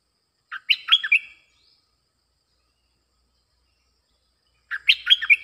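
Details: Bulbul singing to lure wild birds: a short, lively phrase of liquid, tumbling whistles, then a pause of about three seconds before a similar chattering phrase. The recording is clean.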